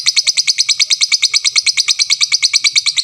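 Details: Lovebird giving its long 'tik tik tik' then 'ngekek' chattering song: a fast, very regular train of high, sharp chirps, about three per second, steady in loudness for the whole stretch, with no other sounds.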